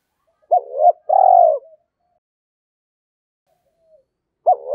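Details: Spotted dove, "thổ" voice style, calling to stir a decoy: one clear phrase of a hooked short note and a long mellow coo, then quiet before the next phrase begins.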